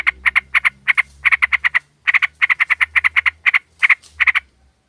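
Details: Sooty-headed bulbul, a female calling a male, used as a lure: fast, steady harsh chattering pulses in long runs with one brief gap, over a low background hum.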